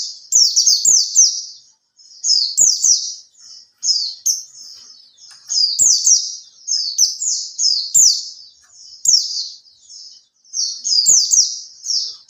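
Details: Oriental white-eye (pleci), a captive bird in care for three months and starting 'buka ekor', sings to draw other pleci into song: quick high twittered phrases about a second long, repeated after short gaps, with light clicks.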